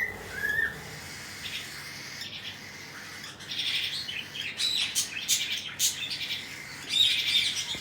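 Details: Cockatiel chicks being fed, starting with a single short whistled note, then building into loud raspy, hissing begging bursts in quick succession toward the end.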